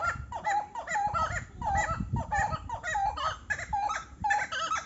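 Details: Buff-necked ibis, probably a pair, giving loud repeated nasal honking calls with harmonic stacks, notes rising and falling, in a rapid overlapping duet, with low rumbling background noise.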